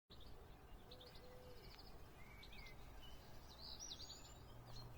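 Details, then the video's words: Birdsong at sunrise in spring: several birds give faint high chirps, short rising and falling whistles and brief trills, with a steady low rumble of background noise throughout. "Vogelgezwitscher Vogelgesang zum Sonnenaufgang"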